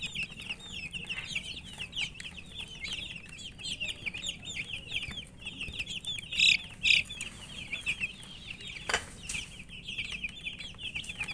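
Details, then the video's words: A group of coloured baby chickens calls out of thirst for drinking water, keeping up a steady stream of high, thin, slurred peeps, two loud piercing cheeps and a sharp click standing out midway. "Murgi chicks Chirping sounds with thirst for drink water"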